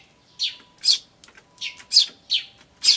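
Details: Tree sparrow adults and chicks recorded 10 May 2013 on an ivis camcorder. Six high chirps in three seconds, falling loosely into pairs.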